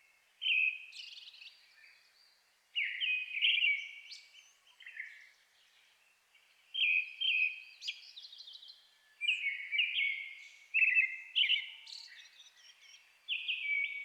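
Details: Brown-headed thrush singing at dusk in a forest in the Shin'etsu highlands of Japan in May, competing with a nearby Japanese thrush; clear whistled phrases with trailing higher notes, repeated every one to two seconds in a quiet background.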